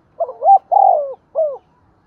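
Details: Spotted dove heard on the first day of the new year, giving one full phrase: a quick double coo, a long throaty rolling croo and a short falling final note. The background is quiet.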